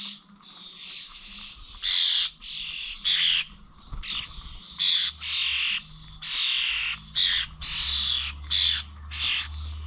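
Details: Common starlings visiting the Corby Old Village feeders on 21 November 2023, producing a run of grating, buzzy screeches about once a second, several birds overlapping, with a low steady hum beneath.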